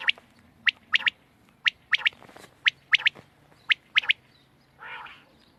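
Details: Quail recorded on 31 March 2024, giving sharp clipped notes in quick groups of two or three, repeated about once a second, with a soft nasal burst near the end over a low background hum.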